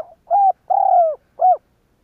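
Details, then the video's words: Lure spotted dove (cu gáy) whose call is meant to make other doves coo: a single phrase of three mellow hooting coos, the middle longest and gently falling, clear and close. "Tiếng cu gáy kích bổi kích sẽ gáy"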